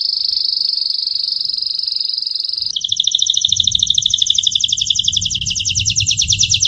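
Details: Gloster canary (domestic canary), 2018, holding a steady high tone for nearly three seconds before switching to a rapid, repeated double-noted trill, with soft low background noise.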